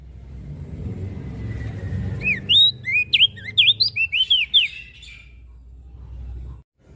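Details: Mountain leaf warbler in energetic song: a two-second run of about ten high, looping, whistled notes, rising and dropping in pitch, set against a low background rumble.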